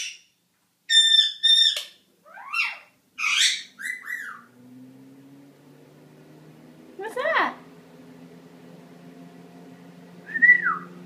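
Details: Young male pet Indian ringneck parakeet, eight months old, practicing speech in the shower: a quick series of sharp stacked chirps and swooping notes, then a steady low hum with a few isolated squawks.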